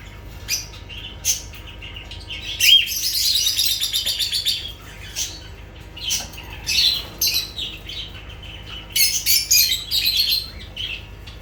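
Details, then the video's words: Lovebirds calling in high, rasping chirps. A longer buzzy chattering run sits in the middle, and scattered sharp squeaks come before and after it. "Sounds of lovebirds"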